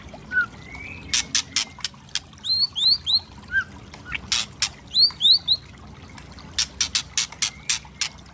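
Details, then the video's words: White-rumped shama 'kretekan' lure song meant to provoke: repeated loud clicks with paired high falling whistled notes and a low whistle. "Pancingan murai trotol memancing emosi bunyi gacor variasi kretekan keras murai trotol"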